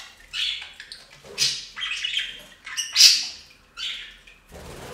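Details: Pet budgies taking a bath at a fountain, chattering with short scratchy squawks and chirps, one louder harsh burst near the middle, and a faint splash of water at the end.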